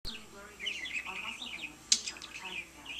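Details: Pet budgerigar chattering to a lamp indoors: a steady run of warbled, twittering notes with a few sharp clicks and one loud high chip near the middle.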